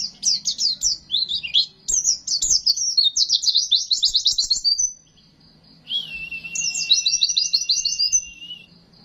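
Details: Oriental white-eye song for masteran training: busy high twittering and fast trilled runs, a pause, then a drawn-out whistle under further rapid trills.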